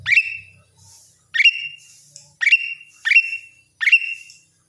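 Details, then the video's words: Caged greater green leafbird giving clear high whistled notes, each dropping sharply then ringing on a level pitch, about every 0.7 to 1.3 seconds, with a faint low thump at the start. "cucak ijo gacor"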